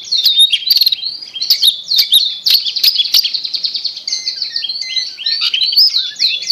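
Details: Long-tailed shrike producing a busy high medley of chattering, whistles and squeaky slurred notes. The recording is used as a lure for a shrike that has stopped singing. A few falling notes and thin steady whistles come late.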